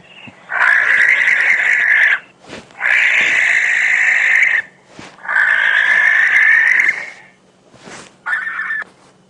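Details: Barn owl call played as a recording: three long, harsh, hissing screeches of about one and a half seconds each, then a brief final one, over a faint low hum.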